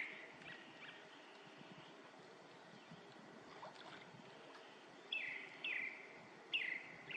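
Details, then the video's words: Grey-backed thrush singing: after a few seconds of steady background rushing noise, two or three loud, clear whistled phrases arrive near the end, each a brief rising note dropping into a falling slur. "되지빠귀 소리"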